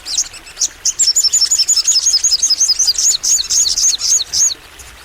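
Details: Crimson sunbird (sogon) singing with full energy: a steady stream of sharp, very high chirps, about four to five per second, for over three seconds.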